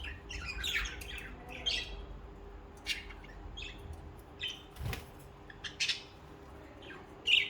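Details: Budgerigars kept as social pet birds, chirping and warbling in scattered short bursts with sharp high notes and pauses between, over a low steady hum.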